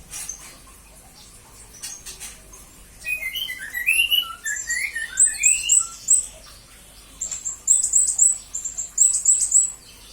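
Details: Blue-crowned hanging parrot song used as a master recording for training other songbirds: quiet opening, then clusters of shrill, thin chirps and short rising whistles, very high-pitched, in rapid uneven bursts.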